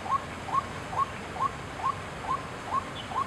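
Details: White-breasted waterhen (Amaurornis phoenicurus) at Chiang Kai-shek Memorial Hall, Taiwan, 6 September 2012, gives short, rising, mid-pitched notes, about two per second in a steady monotonous series, over soft hiss.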